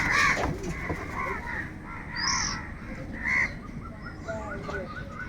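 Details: Crows calling for food, very loud: a harsh, hoarse caw bursts out at the start, followed by further rough calls and fainter, shorter calls trailing off, over background rumble.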